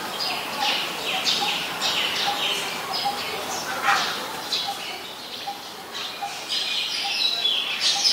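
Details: Eurasian tree sparrow, a very common resident, at Ubon Ratchathani, Thailand, 10 May 2020: dense overlapping chirps and chatter from several birds, busy and continuous, with a few louder notes standing out.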